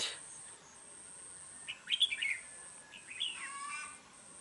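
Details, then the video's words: Red-whiskered bulbul kept as a trap-fighting bird, described as singing often with a harsh voice: two short bursts of chattering, warbled notes, rising and falling, about a second apart, over a steady high electrical whine and faint background hiss. "Bẫy đấu chào mào vip | nhậy đuôi xoè mềm , siêng mỏ giọng gắt"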